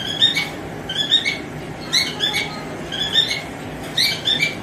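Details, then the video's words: Male cockatiel calling to a female, giving bursts of two or three bright, warbled chirping whistles about once a second, with a steady room hum beneath. "Cocktail Birds male singing || Cocktail male colling female"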